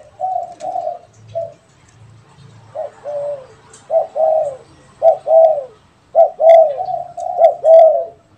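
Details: Spotted dove, a caged bird and a wild one trading calls, loud hoarse coos in paired and tripled phrases with short pauses, a low hum in the background and a few faint high chirps.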